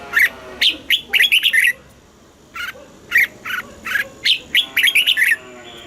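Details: Thai cage-bird Red-whiskered bulbul singing southern master-song style, played to excite caged birds and teach young birds: dense, chattering runs of bright whistled and slightly harsh notes, in three busy bursts.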